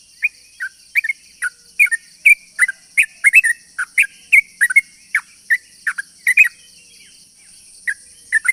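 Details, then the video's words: Sooty-headed bulbul in a long, rapid run of song used as a lure to draw other bulbuls: short bubbly whistled notes repeated several times a second, pausing near the end, over a steady high-pitched background drone. "pancingan burung trucuk gacor ropel panjang ini bikin semua burung trucukan yaut seketika"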